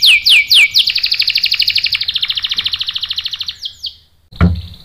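A canary opens with three quick down-slurred whistles, then a rapid high rolling trill of about thirty notes. A brief knock ends it.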